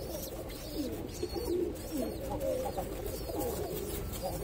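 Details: Soft, low pigeon coos, with a few short rising and falling notes, near an ash-coloured baby pigeon; faint chirps sound in the background.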